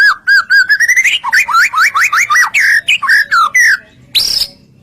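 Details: White-rumped shama (murai batu) singing gacor lure song to provoke other shamas: fluting whistles, then a fast series of rising and falling slurred notes, ending with one high squeaky note after a pause.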